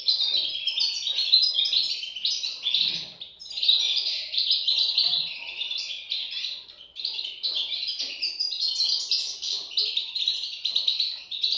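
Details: A group of European goldfinch chicks chirping insistently, with bursts of squeaky high notes separated by brief dips, repeated throughout the clip.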